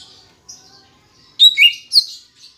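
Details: Green leafbird song used as a lure for kept birds: soft high chirps, then a burst of three loud, sharp, twisting whistled notes with a short quieter note after.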